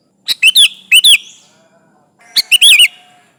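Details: Lure song of a persistent sooty-headed bulbul calling rivals: lively chortling phrases of quick rising and falling whistles, two bursts within a few seconds, with faint humming tones after.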